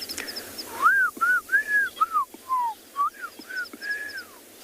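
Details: A Fork-tailed Drongo chirps on a morning game drive on 7 April 2021 at a reserve in South Africa. It gives a quick run of about nine clear, arched whistles, each rising then falling, with faint high chips from another bird behind.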